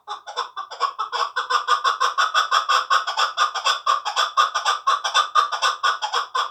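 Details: A two-year-old hunting chukar partridge, hand-raised in Tojikobod district, Tajikistan, delivers a long, even, rapid chuk-chuk series, roughly four to five notes a second, steady in loudness.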